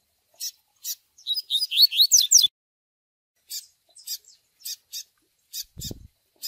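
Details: Double-collared seedeater Tui Tui song played for training, mixed with chick begging calls: short sharp high cheeps every half second, a one-second burst of rapid slurred whistled notes, and a brief low thump near the end.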